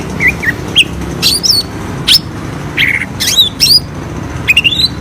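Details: Greater green leafbird song played as a lure for birds slow to sing: sharp high chips, quick slurred whistles and brief buzzy notes in irregular bursts, over a steady low noisy hum.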